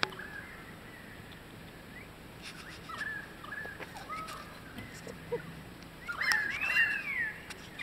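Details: Kookaburras fighting over a lizard at Carnarvon Gorge give low, scattered chuckles, then a louder burst of harsh, cackling squawks near the end, over a steady high insect drone.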